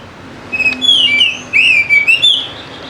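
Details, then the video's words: Clear, melodious whistled phrases of a white-rumped shama, a lure for silent birds, with looping rising and falling notes in two linked phrases. "PANCINGAN AMPUH UNTUK PIKAT KACER YANG MALAS BUNYI SEKETIKA GACOR"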